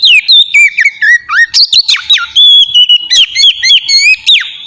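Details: Oriental magpie-robin song intended to make other magpie-robins sing: a dense, loud stream of whistled notes, sweeping slurs and sharp accents running without break.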